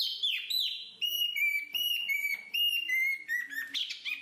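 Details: A black-capped babbler gives clear, lower whistled notes, each held briefly and stepping slightly downward. Two or three come per second, ending in a burst of higher chirps.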